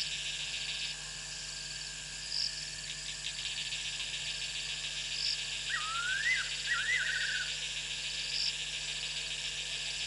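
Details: A Fiery-necked Nightjar calls at night, after dark, from its perch in Africa: a brief run of liquid, quavering whistles that dip and lift again, over a steady high chorus of night insects.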